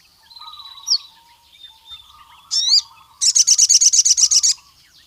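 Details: Singing sogon, or Javan cuckoo-shrike, aiming at rival males: soft low twittering, a quick upward-swept whistle, then a loud, rapid high trill of about twelve pulses.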